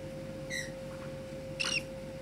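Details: Cockatiel (Nymphicus hollandicus) giving two brief, bright whistled calls about a second apart over a steady low hum.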